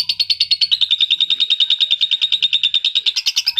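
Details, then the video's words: Steady, fast series of shrill pulsed notes from an adult lovebird, played to excite other adult lovebirds, forming an unbroken high rattle that grows slightly louder and sharper toward the end. "PERANGSANG PANCINGAN LOVEBIRD DEWASA"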